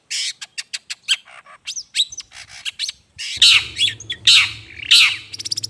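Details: Long-tailed shrike lure sound: a run of sharp dry clicks and short chips, then harsh grating squawks spaced under a second apart, with a low electrical hum behind them.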